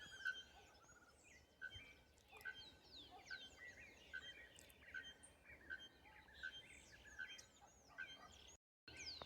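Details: Bare-throated bellbirds singing at São João do Triunfo, Paraná, in natural surroundings: a long steady series of clipped, bell-like notes about once per second, over a busy background of chirping and twittering small birds.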